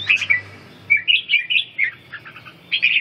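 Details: Red-whiskered bulbul being trained in the ché song during stamina recovery, giving a quick run of rolling, warbled whistles that slur up and down, then a brief pause and a final bright phrase; low background hum.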